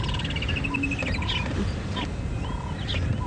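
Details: Red-winged pratincoles at a dam at Djuma Game Reserve, South Africa, on a sunset drive, 23 January 2017, give sharp, high chattering notes in quick runs over a low rumble, with a plain repeated whistle behind. Labelled collared pratincole.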